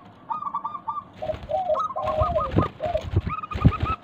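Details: Local zebra dove song used as a lure to prompt silent doves to call back: soft, mellow cooing phrases of short linked notes, repeated several times, over low rumbling background noise and faint knocks.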